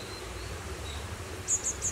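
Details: A fledgling cinereous tit, fallen out of the nest and calling for help, gives three short, very high, thin notes in quick succession, over a low steady rumble and faint higher tones.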